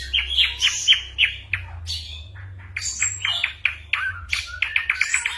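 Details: Mimicking ashy drongo, its song full of copied bird calls and gunshot sounds, used for training songbirds such as white-rumped shamas. Quick varied chips, harsh squawk-like bursts and short downslurred whistles in an irregular stream.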